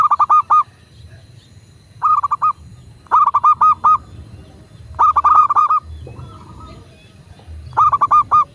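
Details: Master recording of a local Indonesian zebra dove meant to make other doves sing: five separate phrases of rapid, bubbling coo notes, each about half a second, spaced by short gaps, with faint background hum.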